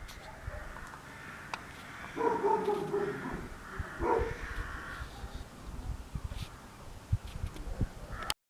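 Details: Crows around Christmas 2016 in Mužlja, outdoors: two harsh, nasal caws, one long and one short, over a steady low background rumble with occasional clicks.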